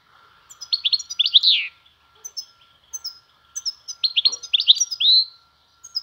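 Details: Caged European goldfinch singing the Van style ('vanlı melik') song in spring weather: two bursts of rapid, high, liquid twitters, each ending in a drawn-out buzzy note, separated by sparse chirps over a steady low hum.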